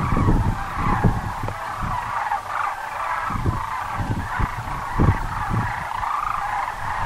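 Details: Sandhill cranes at Muleshoe Wildlife Refuge, Texas, a large gathering calling together in a dense, continuous chorus of overlapping rolling, trumpeting notes, with low thumps and rumbling wind underneath.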